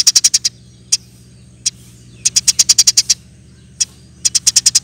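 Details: Eurasian tree sparrow delivering rapid 'nembak' chatter for a songbird training recording: quick strings of high sharp chirps broken by isolated single notes, over a steady low mechanical hum.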